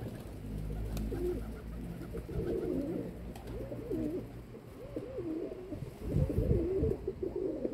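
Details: Domestic pigeons make wavy, warbling coos that swoop up and down in loops, over a steady low hum with some knocks near the end.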